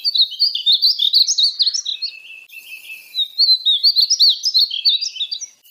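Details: A painted bunting (Passerina ciris) sings two fast, sweet warbling phrases of high slurred chirps, each lasting over two seconds, joined by a short pause; a clean recording.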